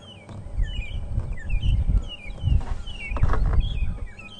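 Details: Several magpie shrikes (long-tailed shrikes) give short, slurred, strange whistles, rising and falling, several per second from more than one bird, at sunrise on 5 November 2014 in unusually windy weather, over a heavy low rumble of wind.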